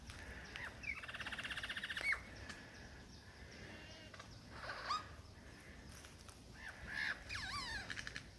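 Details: Male superb lyrebird in the Dandenongs courting a female with his repertoire of mimicked songs and sounds: a fast buzzy trill for about a second, then scattered sharp chirps and upward-sweeping whistles over a quiet bush background.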